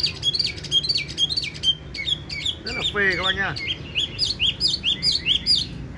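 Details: Tame caged Chinese hwamei, yellow-legged and yellow-billed, with a loud fine voice, pours out quick repeated high whistles, briefly interrupted by a harsh descending rattle, then resumes rhythmic rising whistled notes over low background sound.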